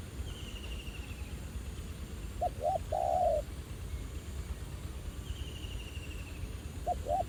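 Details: Spotted dove, a wild bird drawn to a ground decoy during trapping and said to be quite aggressive; one full low coo phrase, two quick notes then a long hollow note, plus a faint high descending trill twice.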